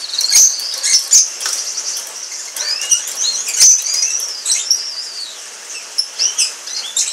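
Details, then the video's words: Orange Frost canaries, a pair, in lively high-pitched song: rolling trills, rising and falling whistled slurs and bright chirps with uneven pauses, and occasional clicking and fluttering noises in the background. "Canary Singing"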